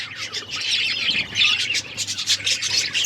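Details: Budgerigars chirping in a dense, continuous chatter of high, scratchy warbles and short tweets, several birds overlapping with a faint low hum beneath.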